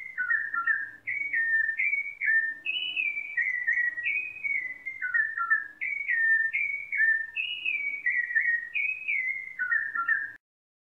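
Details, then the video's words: A rufous-bellied thrush sings clear, fluty whistled phrases of short slurred notes stepping up and down, almost without pause, over a faint low hum. "Canto de Sabiá-laranjeira - Som de Sabiá-laranjeira"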